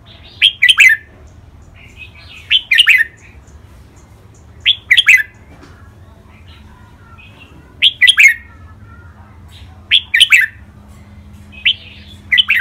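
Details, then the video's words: Caged red-whiskered bulbul song, two birds, in styles named len rik, boen, lak wai, mae bot and nap dok: loud liquid three-note phrases repeated about every two seconds, each followed by a soft warble. "นกกรงหัวจุก เสียงร้องเล่นริกเบิ้ล ลากหวาย แม่บท นับดอก"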